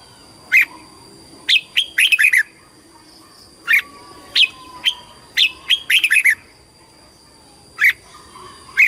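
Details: Red-whiskered bulbul in competitive song, scattered sharp chirps and short bursts of warbled notes spaced irregularly across the stretch, some grouped in quick runs of four or five syllables, over a constant faint background hum.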